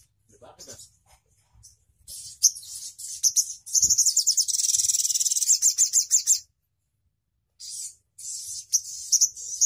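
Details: Crimson sunbird song said to make other birds sing along: scattered soft high ticks, then a loud fast rattling trill of bright, repeated high notes for about four seconds, a pause, and more high chirps.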